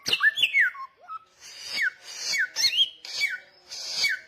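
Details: Samyong singing loudly and steadily, repeating bright whistled phrases that each drop sharply in pitch, about every half second, with a few lower warbled notes early on.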